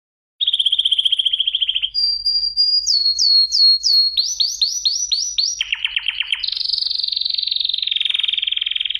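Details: Canary singing a clear, varied song: a fast even trill, then a series of rising slurred notes, quick descending sweeps, a lower rapid rattle, and a long steady high trill to the end, with no other sounds.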